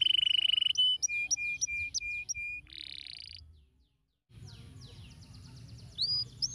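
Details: Canary song played to stimulate lazy canaries to sing: a bright high whistle, then rapid repeated slurred notes and a buzzy burst, a short silence, and a faster high twittering resumption with faint low hum beneath.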